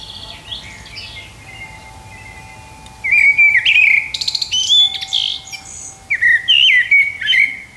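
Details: A blackbird at sunset sings fluty, warbling phrases with twittery endings, beginning after about three seconds, over the steady ringing tones of a wind chime.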